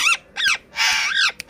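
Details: Pet parrot speaking different words: a run of rising and falling voice-like syllables with strong harmonics and a long raspy, breathy middle section, ending in a sharp click; music is heard beneath.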